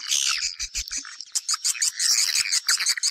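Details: Swiftlets calling, a sound used to attract them into a house: crowded, sharp chirps and chattering twitters in quick bursts, briefly louder pulses toward the end, with faint low knocks early on.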